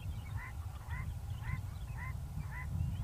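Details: Large-billed lark singing softly while foraging on the ground at sunset on a farm near Hanover, Northern Cape, South Africa: short two-toned rising notes repeated about every half second under heavy low wind rumble.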